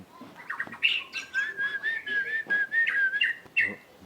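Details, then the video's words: White-rumped shama in breeding condition singing a varied run of clear whistles, with one long, slightly wavering sustained note through the middle, and short chips and twitters around it. "Suara burung murai birahi"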